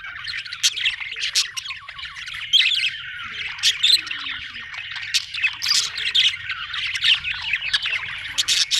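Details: A group of budgerigars twittering, high scratchy warbles broken by sharp clicking chirps and short squeaks, many overlapping voices, with a soft low hum beneath.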